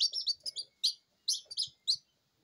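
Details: Crying Silkie Serama chicks just out of the incubator, no mother hen present: a few loud, sharp, descending peeps in short bursts separated by brief silences, with soft rustling as a hand comforts them.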